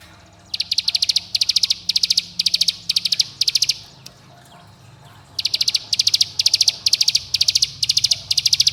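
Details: Ciblek gunung, the bar-winged prinia, in a dense 'bren' lure song meant to make young birds sing and rivals agitated: clipped high notes in groups of about five, repeated steadily, with a silent gap midway before resuming.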